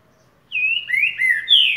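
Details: Green-winged saltator singing in the boca mole boi style, also called boiadeiro: three clear whistled phrases in quick succession, the first level, then two slurred rising-falling notes, the last loudest, over a quiet background.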